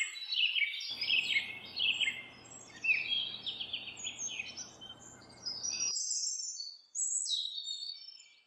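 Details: A house wren sings as it builds its nest, pouring out a continuous rich, gurgling stream of quick, high bubbling trills and chatters that rise and fall. A steady low hum runs underneath for most of the recording.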